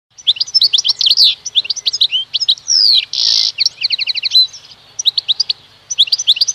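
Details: Pet goldfinch × canary mule singing a fast, varied twittering song of sharp chirps, quick trills and one buzzy rasping burst mid-phrase, high-pitched throughout, with no other sounds.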